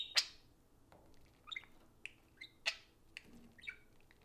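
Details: Pair of caged pet budgies playing and socializing: sharp clicks and broadband chips mixed with brief whistled rising and falling warble notes, irregularly spaced, with a faint low room hum.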